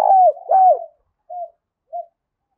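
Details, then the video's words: Spotted dove cooing, used to lure wild doves to a decoy for fighting: two loud, full, downward-curving coos back to back, then two short softer notes spaced apart. "tiếng cu gáy thúc Đấu bổi rất rát, trị những con chim cu gáy bổi bể rừng lẹ về cội đấu với mồi"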